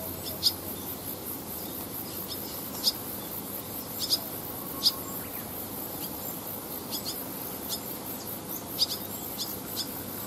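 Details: Fledgling barn swallows and their parents resting on power lines above paddy fields mid-training, 18 August 2020. Bright, high, staccato twitters come in scattered pairs and singles, with quiet gaps between bursts, over light background noise.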